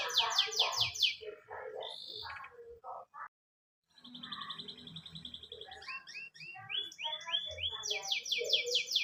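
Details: Canary song intended to get a pet canary singing: rapid descending buzzy notes and varied chips, a short silence, a high trill, then rising whistles and fast sweeps.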